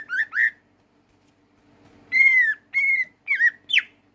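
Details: Caged Greater green leafbird delivering clear whistled notes: two rising slurs, a quiet gap, then several long downward-sliding whistles and a sharp final upsweep, over a low steady hum.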